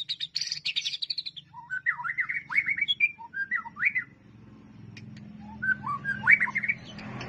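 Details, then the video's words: White-rumped shama song as a masteran training recording: brief rapid chatter, then rich whistled phrases that swoop up and down, pausing before more whistles, with a faint low hum. "MASTERAN MURAI BATU"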